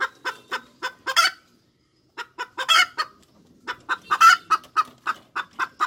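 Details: Cackling hens give bursts of rapid clucks, then pause about half a second before resuming, with loud harsh drawn notes rising out of the clucking three times.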